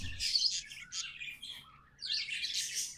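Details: Tame budgies singing: a scratchy twittering phrase, a quieter dip in the middle, then a loud buzzy chattering burst near the end.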